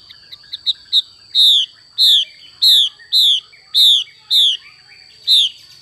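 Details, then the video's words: Female Chinese hwamei giving its xùy call: a few soft ticks, then seven loud, rich downslurred notes, each sliding down from high pitch and repeated roughly every half second, over a faint steady high whine. "Họa mi mái xùy cực đỉnh"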